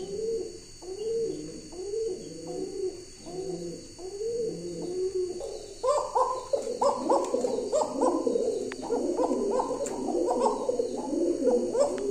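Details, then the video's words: Home-bred show pigeons coo in low, throaty, rolling phrases about once a second; a second bird joins halfway, so the cooing thickens and overlaps. "pigeon beautiful sound"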